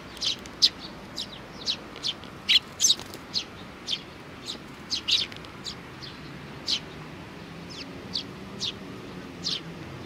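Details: Several sparrows, including youngsters, on 27 June 2019 give a scatter of brief high tweets. The calls are denser early, then spaced about a second apart, with quiet hiss underneath.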